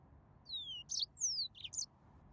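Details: Brief yellow-fronted canary fragment with two long, smoothly falling whistles, each followed by a buzzy chirp.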